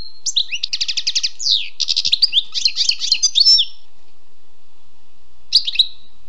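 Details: Wild European goldfinch singing: rapid twittering trills of tinkling notes, then a run of mixed buzzy and liquid phrases, a pause, and a short twittered burst near the end.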